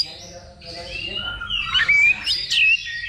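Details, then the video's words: Oriental magpie-robin singing in a level 2 practice contest held before real competition: a soft opening grows into bright whistled slurs and quick sweeping notes, loudest near the end, with a low background rumble. "Simulasi Lomba Kacer Level 2 Tuk Latihan Sebelum Tanding"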